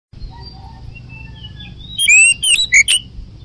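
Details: Oriental magpie-robin in lively 'ngoceh gacor' singing: soft thin whistles at first, then a loud burst of sharp, ringing notes and quick chattering phrases near the end over a low background hum.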